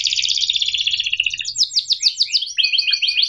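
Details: Training song of a canary for young birds learning to sing: a long fast rolling trill drifting slightly downward, followed by distinct sweeping chirps repeated roughly three per second. Faint low background hum.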